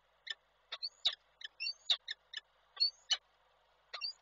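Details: Peregrine falcons at a Koszalin, Poland nest as the male delivers prey the female does not want; quick high chips and squeaky notes in uneven bursts, about fifty a minute.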